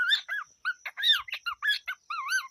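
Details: Pet cockatiel kept on a countryside farm, chattering in a stream of short warbled whistles that rise and fall, about a dozen quick notes in under three seconds, with a steady faint high tone behind.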